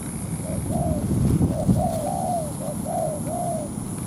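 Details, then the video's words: Spotted dove decoy in a ground trap drawing in a wild rival to fight: a phrase of several soft coos ending in long falling notes, with a few low knocks and rustles early on. "Bẫy chim cu gáy mồi đất"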